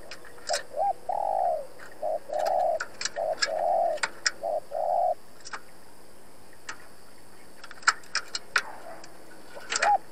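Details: Decoy spotted dove cooing to challenge wild rivals at a trapping site: a run of low hollow coos in short-long pairs over the first half, then many sharp clicks and taps with a faint final note.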